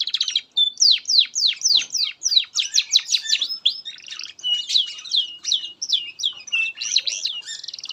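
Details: Master song of a canary for teaching young birds: continuous high, bright song of quick descending whistles repeated several times a second, shifting into warbled chattering phrases.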